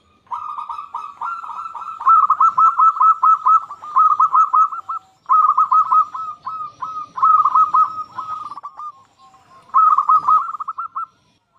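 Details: Vigorous local zebra dove song, meant to stir quiet doves into singing. Long strings of rapid, rolling coos come in phrases of a few seconds, separated by brief pauses.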